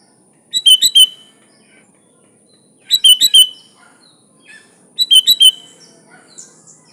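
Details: Sooty-headed bulbul repeating a bubbly three-to-four-note phrase about every two and a half seconds, with faint distant chirps from other birds between phrases.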